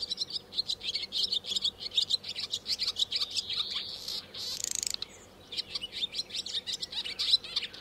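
Swallows give a fast, unbroken twitter of high, bright chirps, broken near the middle by a short, harsh, buzzy rattle. There is little background noise.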